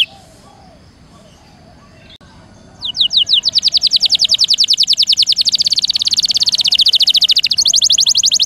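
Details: Canary song for training songbirds: after a quiet start, a long rapid roll of high clipped notes begins, runs steadily for several seconds and shifts to a slightly different trill near the end.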